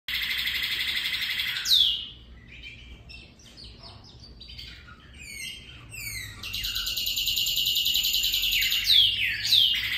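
Northern cardinal singing a canary-like song: long high rolling trills, broken by a run of short scattered chirps, then the rapid trill returns.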